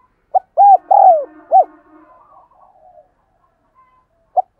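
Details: Spotted dove giving thúc gù coos for training decoy birds and attracting wild doves; a quick series of soft, rounded coos with one longer, drawn-out falling note, then a pause and two more brief coos, otherwise quiet.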